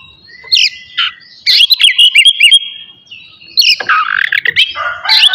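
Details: Morning song of an Oriental magpie-robin meant to rouse aggression and breeding urge; scattered short notes, then a run of repeated whistled chirps and a dense warbling burst.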